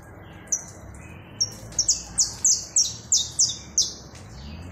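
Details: Saffron finch singing a series of short, high, sharply descending notes, about nine in quick irregular succession after a brief pause, over a faint steady background hiss.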